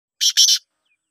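A black francolin gives a brief, harsh, grating call in two quick rasping bursts, together under half a second, with nothing else heard.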